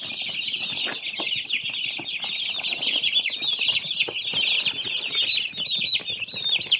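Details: Baby chicks chirping in a crowded, unbroken chorus of shrill peeps, with light scuffling and tapping throughout.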